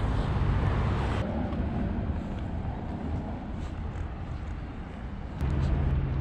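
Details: Steady low engine rumble and road noise from a moving car on an outing to a high point in Vitória, Espírito Santo, Brazil, with a brief louder surge near the start and end; no animal voices.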